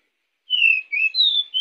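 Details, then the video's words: Pied bushchat singing, a recording meant to attract other birds: one clear phrase of four smooth whistled notes, the first long and falling, then a low note, a higher level note and a short rising ending. "Decu gacor untuk pancingan"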